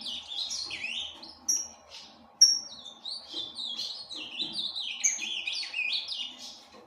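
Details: Aviary-kept breeding Ultramarine grosbeak sings a lively string of down-slurred and up-slurred whistles, with a couple of sharp high notes before a long tumbling warble.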